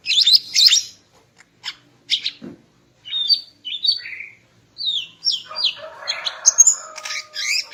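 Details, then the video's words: Morning singing by a female greater green leafbird to arouse a male: quick high chips, then repeated downward-slurred whistles, followed by a busy mix of chirps over a lower whistled tone. "Kicau Burung Cucak Ijo Betina Pagi Hari untuk Naikkan Birahi Cucak Ijo Jantan"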